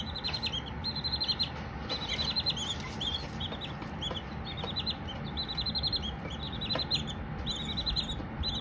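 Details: Baby Silkie chickens peeping: strings of high, rapid chirps from more than one chick, some runs longer and some single notes, above constant low rumbling background noise.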